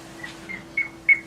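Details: Piping Plover distraction call, given near its nest or young to draw intruders away while feigning a broken wing: four soft, clear whistled peeps about a third of a second apart, growing louder, over a steady low electrical hum.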